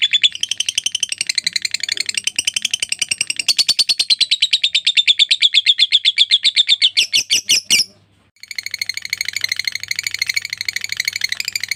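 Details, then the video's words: Tutor recording of a lovebird's long ngekek trill: a run of high buzzy pulses that quickens and intensifies over seven seconds, a brief pause near eight seconds, then chattering resumes. "LOVE BIRD NGEKEK PANJANG"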